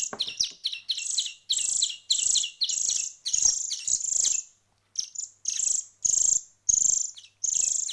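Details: Hand-reared songbird chicks one week into hand feeding give quick, high, buzzy begging notes, about a hundred bursts a minute, irregularly spaced with a brief silence midway.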